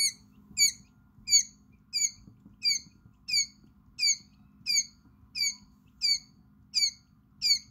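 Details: Five-hour-old quail chicks in a brooder, with one chick that has found its voice. Piercing, high peeps, each a quick falling sweep, recur evenly about every 0.65 seconds over a soft low background hum.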